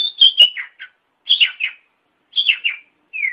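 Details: Caged-bird training master of Oriental magpie-robin song, meant for morning or evening sessions: repeated bursts of rich whistled and slurred notes, each phrase about half a second, ending on a falling whistled sweep, background silent.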